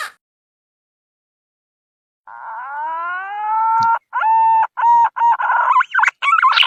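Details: Green pigeon lure call used for catching birds: after two seconds of silence, a rising whistled note with harmonics, then a quick series of short warbled, fluting notes that grow louder.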